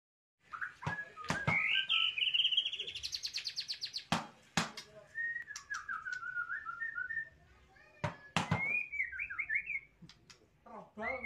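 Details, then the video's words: White-rumped shama (murai batu) singing energetically in the style known as gacor: varied whistled phrases, rising and falling, mixed with sharp loud clicks and a rapid buzzy trill near the start, with quieter gaps between bursts. "BURUNG MURAI BATU GACOR"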